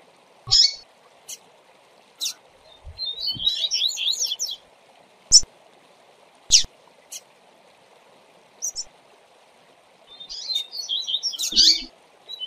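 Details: Tutor song of a double-collared seedeater for training: scattered loud chips and clicks with two brief bursts of rapid high twittering, one early and one near the end.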